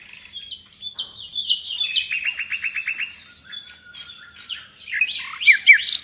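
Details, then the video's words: Nightingale in full gacor song, popular in Indonesia as a master singer for pet birds: soft varied chirps, a run of rapid repeated notes in the middle, then loud scratchy high phrases building at the close. "Nightingale song FULL gacor"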